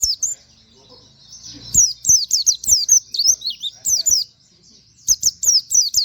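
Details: Plain flowerpecker (pleci), kept bird, recorded as a master tutor for other songbirds, with a sound said to mimic canary. High, sharp downslurred chirps given in fast rapid bursts, with a short pause between bursts and faint low background hum.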